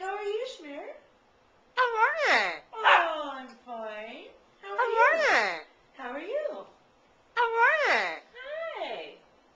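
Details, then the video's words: A cheerful pet parrot talking in old-fashioned words such as "How are ye": a run of clipped, voice-like syllables with swooping pitch, delivered in bursts of one to two seconds with short silences between. "the parrot says, How Are "Ye""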